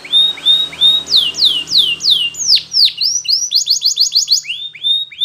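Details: Yellow canary singing a powerful training song: series of clear, high downward-sweeping whistles repeated about three per second, shifting into faster slurred notes and quick rising-falling phrases, with a faint low hum underneath.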